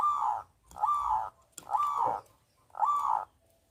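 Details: Local zebra dove with a loud, full voice, used to coax reluctant doves to sing: four hoarse, low cooing phrases, each about half a second long, separated by short pauses.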